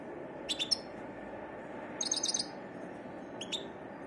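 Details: European goldfinch giving a few brief, high, clipped twittering notes in three short bursts separated by pauses, over a steady low background hum.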